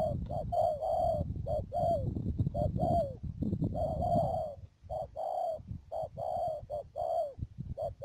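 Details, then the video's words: Trapping decoy spotted dove at Mương Điều, Đầm Dơi, Cà Mau, recorded 12 March 2019; repeated low cooing phrases of short and drawn-out notes, some slurring down, over a steady rumbling background that fades briefly midway. "BẪY CHIM CU GÁY CÀ MAU .BỔI MƯƠNG ĐIỀU"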